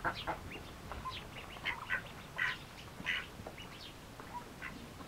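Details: Eagerly feeding Mallard ducklings give scattered thin peeps, single and in small clusters, with a few louder notes standing out against soft low background noise.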